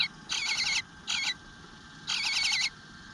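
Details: Begging eastern bluebird nestling, unfed for a while, on a June 2022 morning at the nest: two quick rasping bursts followed by a longer, wavering buzz of trilled high notes.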